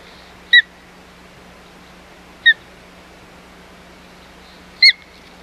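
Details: Osprey at the Hog Island nest, 4 May 2020, during a fight over the nest: three short, sharp whistled chirps spaced about two seconds apart over steady low hum.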